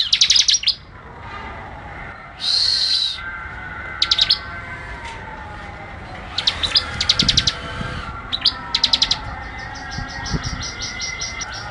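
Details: Bar-winged prinia tutor recording of vigorous singing: scattered brief bursts of quick high chipping notes separated by gaps, over a busy background with a faint lower tone.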